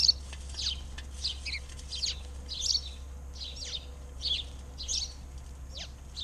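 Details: High tweets and short twittered notes from birds in an Arizona backyard, spaced irregularly about every half second, with a faint low background hum.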